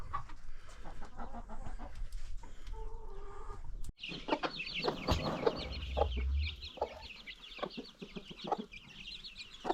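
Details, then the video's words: Farm chickens with new baby chicks ranging freely; low rumbling and scattered clucks give way to a dense chorus of high, thin chick peeps over bumps and handling noise. "Chickens farm 100"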